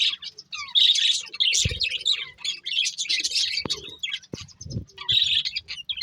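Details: A breeding pair of budgerigars chirping in dense, buzzy, high-pitched chatter, with quick warbled notes in bursts and short pauses, and a few soft low thumps in the background.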